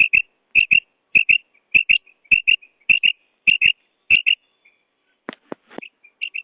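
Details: Quail calling in a steady rhythm. Paired high clipped notes repeat about every 0.6 seconds, with short thumps between them. Near the end the pattern breaks into scattered single notes.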